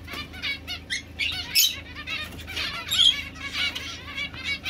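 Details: Society finch of the domestic form, with scattered nasal, buzzy chirps and short rising notes, one loud bright burst early on; faint hum beneath.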